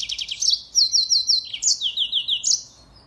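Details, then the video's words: Mozambique finch song used as a model for training songbirds: a quick high trill, then runs of repeated, sharply falling whistled notes, bright and clear, against a quiet background. "Burung MOZAMBIK Gacor, Pancingan / masteran burung"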